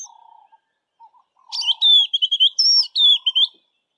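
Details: West of Grahamstown, a White-browed Scrub Robin sings its highly repetitive song, a fast string of high, sweet whistled and slurred phrases preceded by a few low soft notes.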